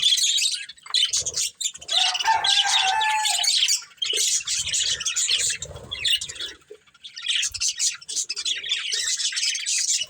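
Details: Budgerigar breeding pair at their food, warbling in long runs of busy, high, scratchy chatter broken by two short pauses, with a brief buzzy lower note early on.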